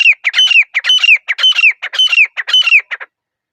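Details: Grey francolin (teetar), a pair, in the hush of a forest: a loud, fast rhythmic series of shrill ringing three-note phrases, each repeated about twice per second for three seconds, then stopping abruptly.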